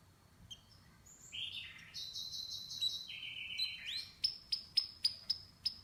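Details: Canary singing softly: varied whistled and trilled phrases at shifting pitches, ending in a series of six sharp, evenly spaced downslurred chips about every quarter second.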